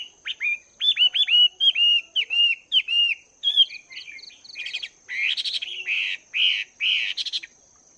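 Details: Morning voice training by a Chinese hwamei two months in a cage: clear, looping whistled phrases repeated rapidly for three seconds, followed by buzzier, harsher bursts with a faint steady high tone behind.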